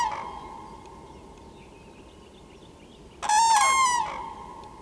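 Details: Loud calls of common cranes: the fading end of one call, then after a pause a single strong, rasping trumpet note with dense overtones lasting nearly a second, set against a quiet, steady background.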